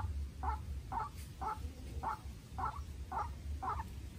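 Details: A young decoy White-breasted waterhen faces a wild waterhen in a fierce calling contest. Each call is a short doubled croak, repeated about every half second, over a low rumbling background.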